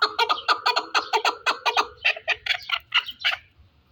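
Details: Chukar partridge from the Pamir: a fast run of about fourteen harsh, clucking chuk notes, several per second, loud at first and then fading and slowing toward the end.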